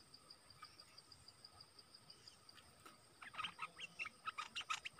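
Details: Red-whiskered bulbul, a caged decoy singing to lure wild birds, recorded 12 September 2021: after a quiet start, a lively run of short, bright chirping notes in quick bursts, over steady pulsing insect calls and a thin high whine.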